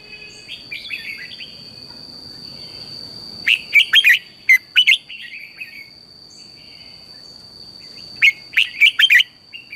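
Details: Red-whiskered bulbul singing in the morning in fiery 'căng lửa' style as a decoy for training bulbuls: soft warbles, then two loud bursts of rapid chirpy whistled notes about four seconds apart, backed by a constant thin whine.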